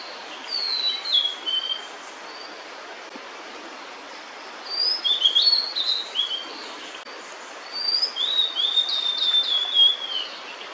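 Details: Female blue-and-white flycatcher singing while holding food in its bill, near its nest with chicks: phrases of clear high whistles sliding downward, each about a second long, repeated every few seconds over a steady hiss of background noise.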